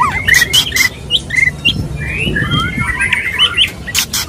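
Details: Male white-rumped shama courting a female; short whistled chips between loud broadband bursts, then softer slurred notes and scattered twittering.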